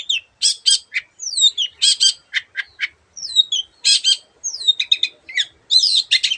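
A long-tailed shrike sings a fast, varied jumble of harsh squawks, sharp chips and slurred high whistles, with barely a pause between phrases.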